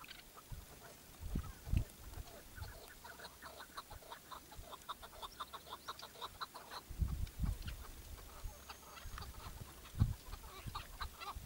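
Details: Partridge tied out as a decoy during a hunt, calling in long trains of quick, clipped clucks that keep going throughout, broken by several heavy low thuds.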